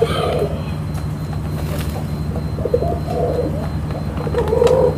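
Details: A dove, thought by the owner to be a male cuhu tangerine, gives three soft, low, rolling coos about two seconds apart, half-buried under a steady engine-like rumble, 24 October 2021.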